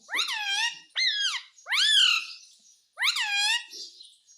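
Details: Pet parrot asking for roti in a small room: four loud, drawn-out calls, each rising sharply and then sliding down, repeated about once a second with a short gap before the last.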